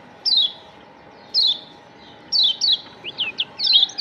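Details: Kecial kuning Lombok white-eye lure recording: clear falling high-pitched chirps at roughly one-second gaps, then a quicker run of short upswept and downswept notes toward the end, with a constant faint hum beneath.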